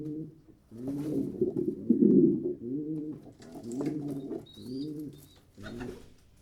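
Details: Pigeon coos come as a series of rounded, gently rising and falling hoots about one per second, low and throaty, with a faint high chirp in the background.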